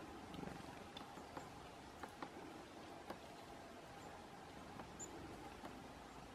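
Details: Great spotted woodpecker in a November forest striking a pine cone: sparse, irregular sharp knocks about every half second to one second, some paired, against a low continuous rustling hiss.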